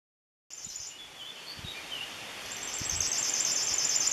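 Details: River warbler by the Bečva river, Czech Republic, in May 2015, singing a high, dry, insect-like rattle of rapid pulsed notes that strengthens steadily; faint thin notes from another bird and soft background hiss.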